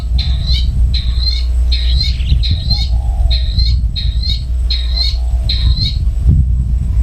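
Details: Wild long-tailed shrike in natural surroundings giving harsh, buzzy squawking notes in short bursts, about eight in seven seconds, evenly spaced, over a steady low rumble.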